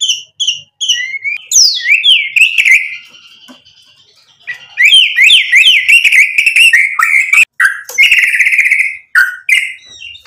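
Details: White-rumped shama in Sumatran Medan style, singing loud, varied whistled phrases: short repeated high notes, then rich rising and falling whistles and fast slurred trills, with a brief quiet gap midway.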